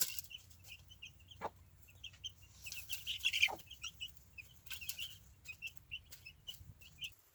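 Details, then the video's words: Easter Egger chicks kept outside with their adoptive mother hen in a movable chicken tractor on fresh grass, content and peeping. Soft high peeps repeat in quick runs through the clip, with a few brief rustles and knocks. "The sweet sounds of Easter Egger chicks happily outside."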